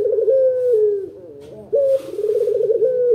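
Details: Local dove with a big voice, recorded as a master lure to make other doves answer: deep rolling coos, a trilled, throbbing phrase sliding down, a short pause, then another vibrating coo phrase.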